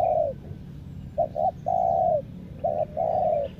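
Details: A decoy spotted dove, kept for catching wild birds, gives its cooing song: a long falling coo, then a pair of short notes and another long coo, repeated with hardly a pause.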